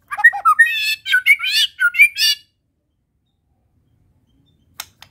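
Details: Medan white-rumped shama in full isian song: a dense burst of chattering, warbling notes with quick rising and falling twists, lasting about two seconds before silence and faint clicks.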